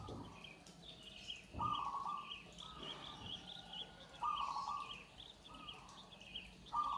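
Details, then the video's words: Zebra dove (perkutut joglo) song: crisp cooing phrases starting sharply every second or so, with other birds twittering in the background. "suara perkutut joglo"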